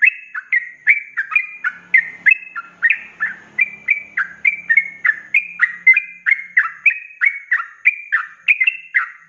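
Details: Rapid continuous 'ropelan' singing of a sooty-headed bulbul kept as a cage bird, used as a tutor recording: dense string of short warbled, slurred notes, tumbling up and down, repeated without pause for nine seconds.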